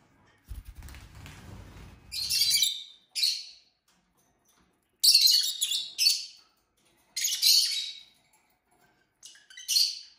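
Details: Several pet lovebirds kept together indoors, exploring curtains, playing and fighting: loud, harsh, high-pitched screeching squawks in short bursts about a second apart, after some low rustling and handling noise at the start.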